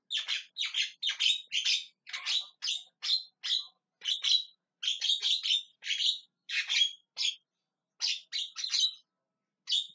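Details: Javan myna calling on and on, a dense string of harsh, grating chatters and squawks, some doubled, delivered in quick uneven bursts with brief gaps; nothing else heard.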